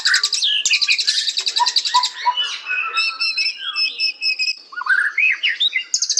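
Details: White-rumped shama (murai batu) singing continuously, meant to make birds aggressive and sing: a dense, varied stream of high chattering trills, bright whistles and swooping slurred notes with barely a pause.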